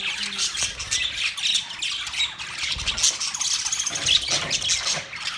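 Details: A group of budgies, November 19, 2023, chatters nonstop in high, rasping chirps and short squawks. The notes are tightly packed with brief whistled notes woven in.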